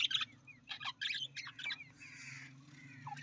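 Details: Budgerigar (Melopsittacus undulatus), chatter: quick, scratchy bursts mixed with short rising whistles, then a longer buzzy note, over a steady low hum.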